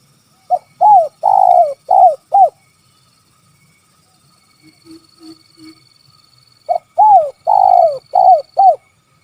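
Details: Tekukur or spotted dove, kuk 3 call type: two runs of five arched coos with a long coo among them, and between the runs three soft low notes with a faint high whine.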